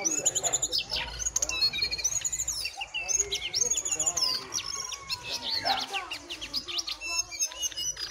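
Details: Wild jongkangan challenging a caged one in a singing contest, basic recording; busy high chatter of repeated chirps and whistled loops that eases toward the end.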